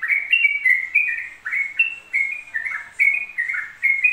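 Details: Yellow-vented bulbul in nonstop song, delivering jaunty chattering phrases of stepped up-and-down whistled notes, each phrase under a second, repeated steadily without pause; background is quiet.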